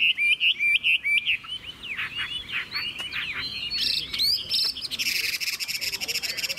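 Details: Chinese hwamei kept as a cage bird, singing: quick looping whistled phrases, at first loud and rhythmic, then a blur of higher buzzy and twittering notes, about two notes a second at the start.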